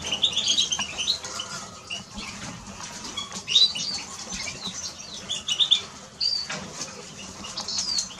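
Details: Eurasian siskin song with bursts of high twittering chirps separated by short pauses, a few sharper squeaky notes, and clicking and fluttering sounds.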